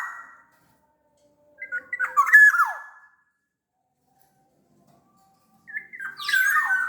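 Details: Black-naped oriole (kepodang) from Sumbawa, a large-bodied bird, in a recording meant to provoke reluctant orioles into singing: two loud fluid whistled phrases around mid pitch with a sharp falling note, separated by a few seconds of silence.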